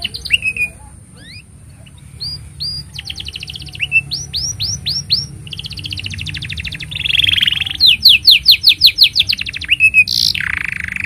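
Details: Canary master song for tutoring young canaries and prompting silent ones: long sequence of fast rolling trills, repeated downward sweeps and a buzzy passage, over a steady high hiss and low hum.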